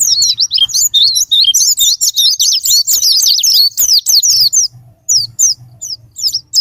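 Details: Japanese white-eye song meant to provoke singing as a sparring partner: a crowded burst of quick, high, zigzag chirps for about four seconds, then sparse separate twitters with a low hum beneath.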